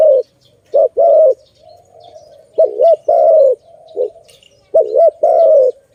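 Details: Zebra dove, known as Malay dove, cooing steadily. Looping double notes lead into drawn coos, with quieter coos from another dove sounding faintly between phrases.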